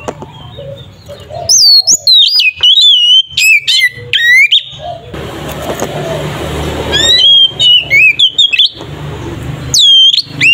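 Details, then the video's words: Oriental magpie-robin 'ngeplong' fighting song for provoking rival magpie-robins: loud sharp whistled notes and buzzy upslurs in bursts, separated by a stretch of broad background noise. "Suara burung Kacer ngeplong ini sangat ampuh untuk terapi Kacer bahan"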